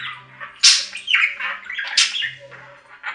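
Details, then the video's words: Budgerigar chatter with bright, scratchy squawks and quick chirps in short bursts, one loud harsh note near the start, a steady faint low hum underneath. "3 Hour Budgie Sounds for Lonely Budgies"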